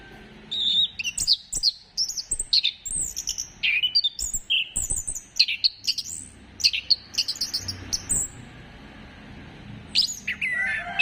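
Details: Orange-headed thrush in full song, used to prompt birds into singing: a long, lively medley of high whistles, slurred sweeps, and crisp chips, run together in rapid bursts with brief gaps, over a faint low rumble.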